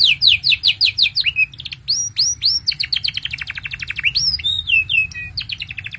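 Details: Canary singing continuously, a song meant to tutor young canaries and coax silent ones: rapid repeated chip series, looping upslurred whistles, then a long accelerating trill of crisp notes and a falling whistled flourish.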